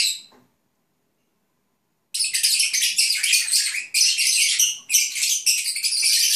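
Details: A short chirp, two seconds of quiet, then pet lovebirds (Agapornis) break into a continuous harsh, buzzy chatter while napping.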